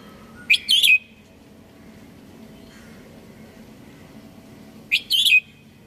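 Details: Red-whiskered bulbul singing two short, bright, warbled phrases about four seconds apart, each a quick cluster of whistled notes, with a faint low hum in the background.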